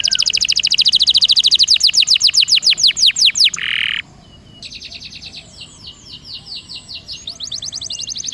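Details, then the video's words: Canary lure song meant to prompt lazy canaries into rolling: a fast, even trill of sweeping notes, a short buzzy burst, a brief pause, then renewed rapid rolling phrases. "PANCINGAN KENARI MALAS BUNYI DIJAMIN NGEROLL!!!"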